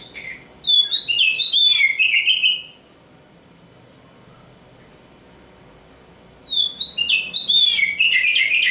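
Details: Kacer Hitam, a black oriental magpie-robin hoped to become a champion, sings two lively bursts of fluty whistles and fast chatter, separated by nearly four seconds of near silence.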